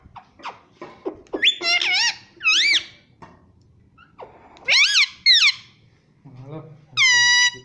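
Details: Pet Indian ringneck parrot kept indoors, mimicking human speech and repeating "Mummy": clear harmonic wavering syllables, some rising and bending, in short bursts with brief pauses, plus a few faint squeaks and clicks in a small room.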